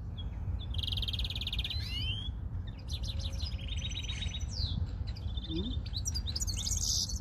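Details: European greenfinches being tested, several birds together: rapid metallic trills near the same pitch, a rising then falling whistled sweep, and scattered sharp chirps, over a steady low rumble of background noise.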